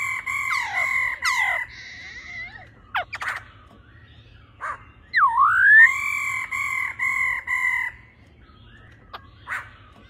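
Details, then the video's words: Female laughingthrush calling rapidly and intensely, giving long, drawn-out nasal notes, one dipping then rising, mixed with sharp clicks, over a steady low hum. "khướu mái ro ro kích trống"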